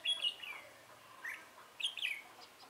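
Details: Red-whiskered bulbul recorded in decoy trapping on 24 March 2018; brief bright whistled phrases, a downslurred note followed by a second twittering burst.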